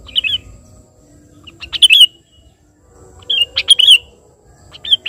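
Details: Sooty-headed bulbul, calling its rival, delivers rich bubbling whistled phrases with several clicks leading in, clustered around two and four seconds, plus a softer note at each end; light hum beneath.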